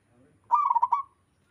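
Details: Local zebra dove singing a melodious coo: a single half-second burst of quick, trilled stuttering notes at an even pitch, with quiet background.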